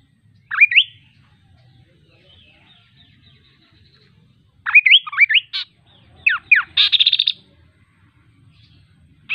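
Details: Kaso kaso bird giving scattered song phrases: a lone rising whistle, a pause, then twisting whistles, steep downslurs and a quick buzzy rattle, with faint high notes between phrases.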